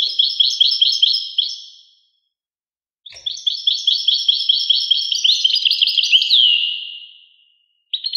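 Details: Song of a European goldfinch: bright chirping notes repeated quickly, then a longer phrase of ringing twitters ending in a descending slurred note and fading trill, with silent gaps between bursts.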